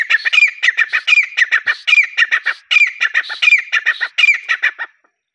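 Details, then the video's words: Partridge calling: a rapid, harsh, rhythmic series of squawky notes with a repeated rising whistled phrase roughly every three-quarters of a second, continuous for five seconds before stopping. "تیتر کی آواز || desi teetar voice"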